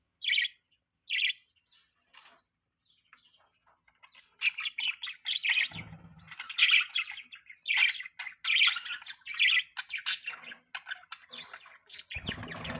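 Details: Pet budgies chirping: a few short bright chirps at first, then a busy run of overlapping high chirps and warbles, with low thumps near the middle and at the end.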